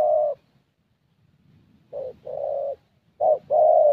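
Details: Young thổ-type Spotted Dove with a fairly good voice, cooing during a decoy trapping session in Gia Lai, Vietnam: low hollow two-part coos, a short note then a longer held one, three phrases with a pause.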